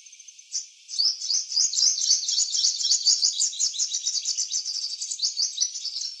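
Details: Garden purple sunbird, in eclipse plumage, delivering a rapid, rambling high twitter: one opening note, a brief pause, then a dense stream of sharp chips and trills, about two notes per second, steady and unbroken.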